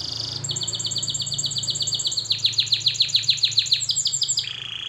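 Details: Training song of a canary: a brief buzzy note, then a steady fast trill that turns into louder, downward-swept notes repeated several times a second, ending on a lower tone.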